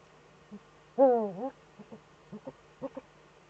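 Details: Twittering of Eurasian eagle-owls mating in a breeding niche, filmed by webcam on 26 February 2013: one loud, long, dipping-then-rising wavering call, followed by a few soft short stuttered notes.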